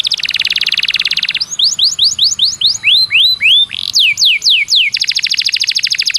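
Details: Canary song used as a training master for contest birds: a fast rattling trill, then a series of whistled rising and falling slurred notes, a few sharp downslurs, and a closing rapid trill.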